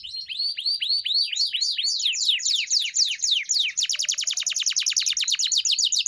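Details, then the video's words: Canary singing in a master recording for training pet canaries: looping, upswept whistled notes that quicken into a fast run of sharp downward chirps, with a faint low warble in the background. "Kenari GACOR‼️ (EPISODE 298) Masteran Burung Kenari _ CANARY SINGING__ الكناري"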